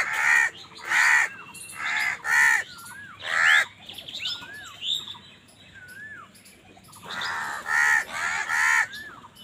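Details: Wild crows fighting with other birds for food deliver a run of loud, hoarse caws in quick succession, pause while other birds whistle rising and falling phrases, then resume with another burst of rasping caws.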